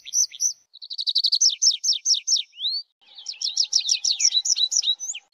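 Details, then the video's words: Tree pipit delivering an accelerating series of slurred notes ending in a rising whistle, then after a pause a second rapid, jumbled trill. "tree pipit sound صوت جشنة الأشجار"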